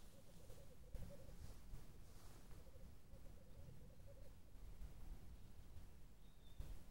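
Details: Male black grouse, 2014, irritated by a rival coming too close, gives a soft, dove-like bubbling coo in two runs of about a second each, over steady low rumbling wind.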